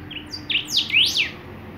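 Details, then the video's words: Golden-billed saltator singing: a short phrase of high, slurred whistled notes that sweep up and down, ending in a louder arched note, over faint steady background hiss. "Los Picahuesos Cantando"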